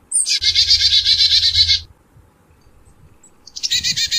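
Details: Black-capped chickadee giving its chick-a-dee call: a high opening note, then a long run of rapid buzzy dee notes for about one and a half seconds, and a second buzzy series starting near the end; faint low hum beneath.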